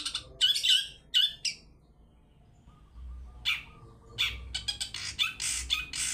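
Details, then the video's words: Long-tailed shrike 'toet toet' lure recording for drawing other birds into song: a quick burst of harsh notes, a silent pause of about a second and a half, then a scattered and increasingly dense series of scratchy chattering notes. "Pancingan cendet toet toet || ahlinya mengundang bunyi"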